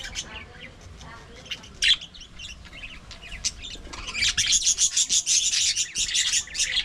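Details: Budgerigars kept in an aviary colony: a few scattered squeaky chirps at first, then from midway a dense, rapid stream of high buzzy warbling from many birds.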